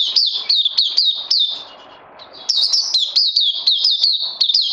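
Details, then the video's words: Rapid high chirping from a caged oriental white-eye in crazy LG style, 31 May 2020: a run of falling tweets, a short quiet gap, then the fast chatter resumes just as loud. "Puteh Crazy LG"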